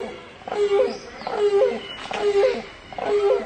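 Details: Grey crowned cranes with their chicks: four short, nasal honking notes with rich overtones, each slightly rising then flattening, spaced just under a second apart, over a faint indoor-like background hiss.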